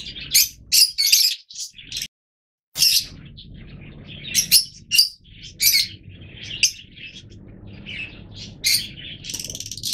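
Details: Yellow Fischer's lovebirds making sharp, shrill chirps in irregular bursts, with a short silent break early on and a background rumble.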